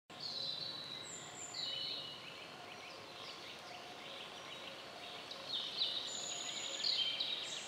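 Young tawny owls give hoarse, wheezy high screeches, repeated irregularly through the clip, with thin high whistles and steady background hiss.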